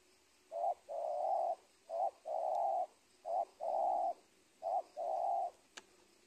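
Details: Wild spotted dove, a dominant bird of an old corn field, recorded at the edge of a teak plantation. Four steady cooing phrases: a brief note, then a long level coo, repeated roughly every second and a half over faint background hiss.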